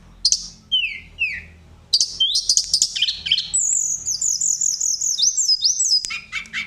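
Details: Sunda robin, kept as a songbird, singing a full varied song used to provoke other birds into singing: sharp high whistles and descending slurred notes, then a long run of rapid rising whistled phrases, ending with lower downward slurs.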